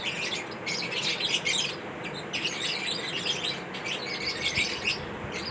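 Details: Several lovebirds going about their daily routine, filling the air with continuous high-pitched chirps and harsh squawks in rapid, overlapping bursts over a noisy background.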